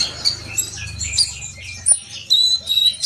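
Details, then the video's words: Sunbird singing a fast, high twittering run of thin notes and short sweeps, with brief pauses and a louder burst near the end; a low hum sits under the first half. "kolibri bahan pasti yaut dengar suara konin ini gacor?"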